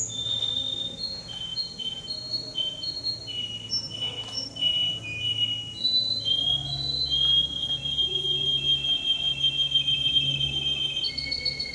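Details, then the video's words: Male canary, entrant No. 10 at a canary contest in Rostov-on-Don on 22 January 2011, sings a steady run of high whistled tours with trilled rolls and long sustained notes, changing every second or so, over a low room hum. "Конкурс канареек"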